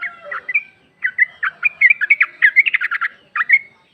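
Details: Female yellow-vented bulbul calling to a male, played as a lure to make another bulbul answer: bubbly, chattering bursts of short warbled notes, then a quick run of about a dozen clipped notes and a final rising phrase.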